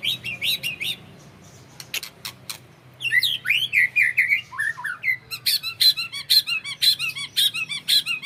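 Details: Captive-bred white-rumped shama of the Trah Jawara line delivering long song bursts. A few chirps give way to a run of sliding, falling whistles, then a fast series of repeated high notes over a faint hum.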